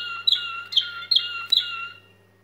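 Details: Waterslager canary in its staaltonen (steel tone) song tour: four bright, ringing, metallic notes with sharp attacks, each held briefly before the next and fading at the end. A faint steady hum runs in the background.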